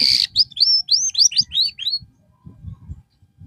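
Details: Canary being given therapy after losing its singing form. It delivers a quick run of about seven high, whistled notes that sweep up then slur down, closely spaced over two seconds. Low thumping background noise follows.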